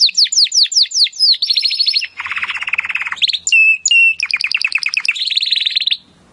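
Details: A Timbrado canary sings in audio for training other canaries: quick repeated descending chirps, then a low rolling buzzy trill, two whistled notes, and a fast bright trill fading out.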